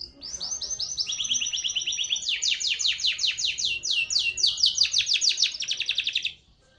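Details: Grey canary singing a plain song: a run of bright, high, rapid trills, each phrase a string of quick repeated notes that shift pitch and speed, stepping down and up for about six seconds before stopping.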